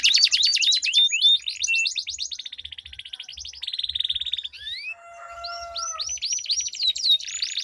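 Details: Canaries duelling in a long rolling song used to coax other canaries into song: fast high trills and a buzzy roll, then a few steady tonal notes and rising repeated chirps.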